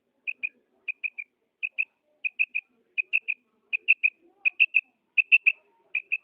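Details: A female quail calls in rapid doubled and tripled clipped notes, loud and evenly spaced about every half second, with faint low rustling beneath.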